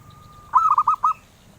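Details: A collector's zebra dove sings a single cooing phrase. It starts with a faint steady tone, then five quick, bubbling notes about half a second long, all at one mid pitch.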